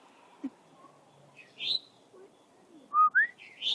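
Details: Unidentified bird chirping outdoors at six in the early morning. A few scattered short chirps, then a bright sliding whistle, then a quick burst of rising, whistled chirps near the end over a low, steady background hum.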